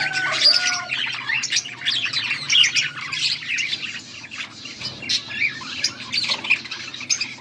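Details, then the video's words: Budgerigars chattering, August 14, 2024: continuous mix of squawks, squeaks and scratchy warbling from several birds, bursts rising and falling throughout. "Budgies sounds for lonely birds birds chirping sounds"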